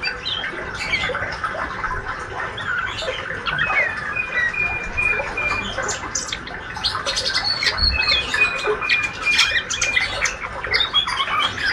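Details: Healthy juvenile male white-rumped shama, speckled and described as diligent at ngriwik, producing a long unbroken twitter of fast chips, buzzy notes and a few drawn-out thin whistles, growing busier toward the end.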